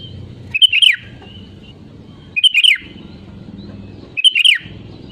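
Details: Sooty-headed bulbul, offered as a lure to set other birds singing: three identical bubbly whistled phrases, each ending in a falling slur, spaced about every 1.8 seconds over a quiet low hum.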